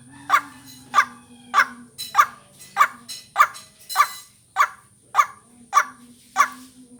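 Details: White-breasted waterhen call played as a bird-catching lure and vocal training: a monotonous run of twelve clipped, throaty notes spaced about 0.6 seconds apart, with a faint hum and some brief hiss.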